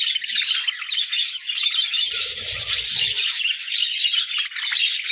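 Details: Lively budgie flock quarrelling over food, an even wall of bright chirping and twittering throughout, with a short burst of low rustling midway.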